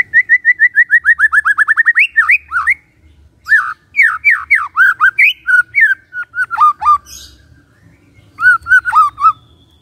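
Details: Morning white-rumped shama song aimed at stirring silent shamas to sing: a fast descending series of short whistled notes, then bursts of loud slurred, squawky phrases with sharp upsweeps, separated by short pauses.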